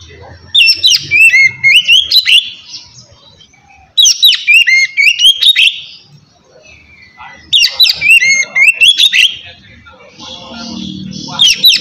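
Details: Oriental magpie-robin (kacer) singing in the relaxed ngeplong style, used as a lure to get lazy magpie-robins singing: loud bursts of rich, varied whistles and sweeping slurred notes, about three seconds each, returning every four seconds with quiet gaps between.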